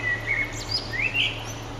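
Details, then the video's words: Eurasian blackbird singing at sunset on 9 June 2011: a fluting whistled phrase with a long level note, then rising and looping whistles, over low hum and hiss. "Blackbird's Song"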